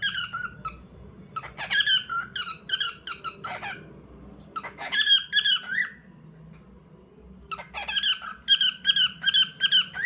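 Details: Pet bird indoors in a small room, giving bursts of bright, harmonic squeaky chirps in rapid runs of several notes, separated by short pauses, with a faint low room hum beneath.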